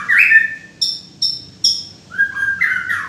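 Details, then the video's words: White-rumped shama (murai) song phrase: a warbled opening note, three crisp high chips spaced evenly, then a fluting two-part whistle dipping and rising. "Suara burung murai ~Indah"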